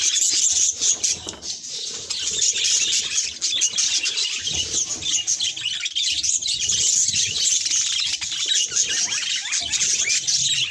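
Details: Budgerigar facing a mirror keeps up a long, busy warble of high chirps, clicks and buzzy squeaks, steady and unbroken throughout.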